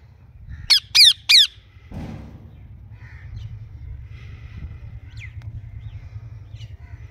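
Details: Green and blue ringneck parakeets kept as pets. Three loud, shrill, downslurred screeches come in quick succession, followed by a few faint high notes over a steady low hum.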